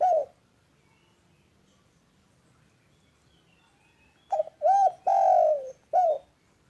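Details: ['Mellow cooing of a spotted dove, played to get silent doves calling: one coo at the start, about four seconds of quiet, then a phrase of a brief note, two rounded coos, a long falling coo and a closing short coo.']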